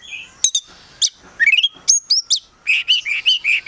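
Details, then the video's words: Oriental magpie-robin (kacer), a kept prospect bird, singing in full gacor style packed with isian phrases meant to make other magpie-robins answer; sharp high whistles, rising slurred notes and a closing run of rapid buzzy chirps. "KACER GACOR FULL ISIAN BIKIN KACER APAPUN LANGSUNG NYAUT"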